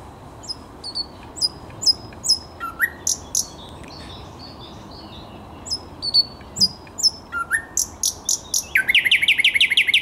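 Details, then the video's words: Song of a thrush nightingale, 10 May 2021: steady repeated high clicks and short whistles at an even pace, a couple of lower upslurred notes, then a closing burst of fast, rhythmic pulsed notes. "Słowik Szary"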